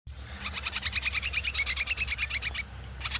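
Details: Ashy drongo singing energetically: a rapid, steady burst of about a dozen sharp, high, ringing notes per second for two seconds, breaking off, then resuming, over a low rumbling hum.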